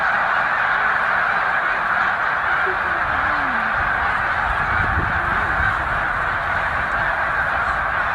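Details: Snow geese massed by the tens of thousands, about 100,000, at Middle Creek Wildlife Refuge while migrating north; a constant clamour of overlapping honks with a couple of sliding calls closer by.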